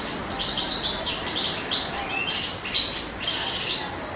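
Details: A male European goldfinch in spring sings a rapid, jingling medley of high twitters, thin whistles and dry buzzy notes, delivered without pause in an excited, chattering stream.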